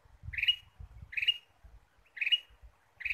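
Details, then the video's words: Ruby-throated bulbul played as a lure: four bright, upward-sliding chirps, each about a second apart, over a low rumbling background noise. "PIKAT KUTILANG EMAS GACOR"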